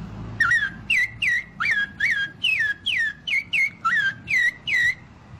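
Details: Parrot in Maranhão, Brazil, imitating other birds such as the rufous-bellied thrush, green-winged saltator and great kiskadee. It gives about a dozen clear, swooping whistled notes, each rising then dipping, repeated roughly twice a second. Faint background murmur.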